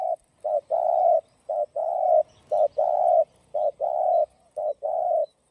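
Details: Spotted dove singing the urgent 'gáy thúc gù' style used to stir up and lure other doves: rapid, evenly spaced phrases of a short coo followed by a long mellow coo, roughly one per second.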